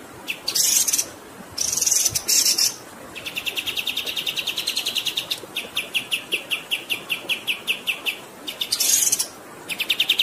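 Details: Extended kapas tembak tutor song: loud buzzy high bursts mixed with long strings of rapid chirps that gradually slow into spaced notes, over a flowing water background.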